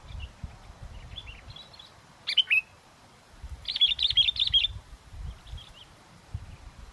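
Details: Sooty-headed bulbul at a bird-luring spot in strong wind, giving sharp high chirps, then a quick burst of about eight bright repeated notes. A steady low wind rumble runs beneath.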